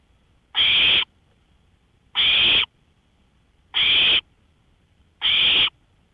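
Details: Owl heard from a porch in the early hours of May 5, 2013, at 1:53 AM. It gives four evenly spaced, raspy hissing shrieks, each about half a second long and about 1.6 seconds apart, with near silence between them.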